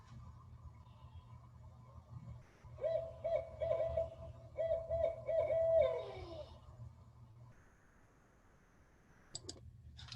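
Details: Great horned owl hoots played back indoors over an electrical hum, showing how mates alternate or change their calls: three or four low, hollow notes, the last sliding downward; Great Horned Owl.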